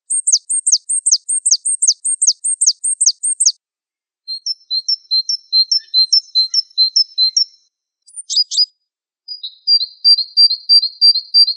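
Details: Java sparrow song used as a masteran training recording: a fast run of high descending chirps at the start, then a series of soft repeated ticking notes, a brief sharp burst, and a closing string of quick chips, clean background.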